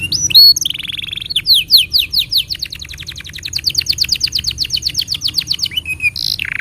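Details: Canary song used as a master for young birds and silent canaries: a short whistled note and buzzy roll, then a long evenly spaced train of sharp sweeping notes, ending in brief buzzy trills.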